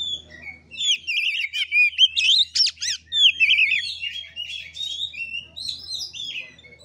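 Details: Oriental magpie-robin in fighting-style play song, the 'gaya kura kura' style, kept by songbird hobbyists to stir other birds to sing: rapid varied whistles, twisting trills and buzzy notes, about four phrases a second, with a faint low hum.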